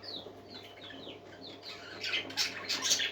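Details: Happy parakeets singing: a run of quick, thin chirps sliding downward, then a louder burst of scratchy, overlapping chatter near the end, over a faint low hum.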